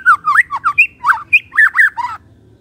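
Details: White-rumped shama singing in the morning as a lure for silent shamas. A quick run of about ten fluted, bending whistled notes, with brief high chips, stops abruptly.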